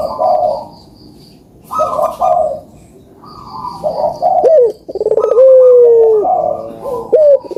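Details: Lure recording of puter doves for lazy callers: soft buzzy coo phrases with gaps at first, then a sustained gliding coo and further overlapping coos toward the end, with faint high ticking behind.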